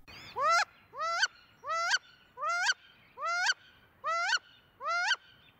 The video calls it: Females utter a loud rising squeal, "Week!"